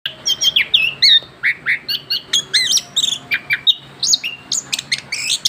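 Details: Young orange-headed thrush just after its moult, singing continuously in the rolling ngerol style: rapid varied chirps, whistled slurs and short trills packed tightly together, with a faint low steady hum behind.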